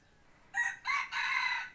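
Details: Decoy rooster kept for hunting, giving a loud, close crow in three parts: a short harsh opening note, a second burst, then a long held, raspy final note fading out, with quiet background.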